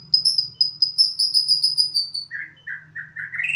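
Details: Eager song of a captive Bornean White-rumped shama kept at home. A fast series of very high whistled notes slowly drops in pitch, then lower warbled notes rise at the end. A soft low drone sits beneath.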